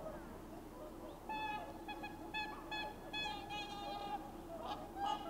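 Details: Swans leaving their winter lagoon roost at dawn for nearby rice fields, recorded with a Sony RX10 IV: overlapping trumpeting honks with clear harmonics sound from several birds at once, in a run lasting about three seconds above low background noise.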